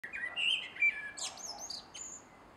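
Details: Male common blackbird singing at dusk in a garden on 3 July 2016: mellow, fluty warbled phrase that slides into a burst of high, thin twittering notes, with a quiet background.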